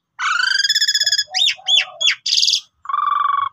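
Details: Pied myna in varied song, meant as a lure to prompt other birds to sing: a long pulsing nasal rattle, looping whistled notes over low hums, a buzzy burst, then a short pulsing trill.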